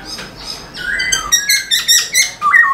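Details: Black-throated laughingthrush singing with a tail dance, played to spur caged birds: a quick run of short, bright chirps and high sharp notes, each a burst roughly every quarter second, ending on a downslurred whistle.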